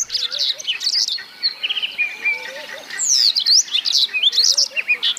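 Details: Yellow canary song: rapid high twittering phrases with buzzy trills and sharp upslurred notes, given in bursts, while softer low whistled notes from another bird sound underneath.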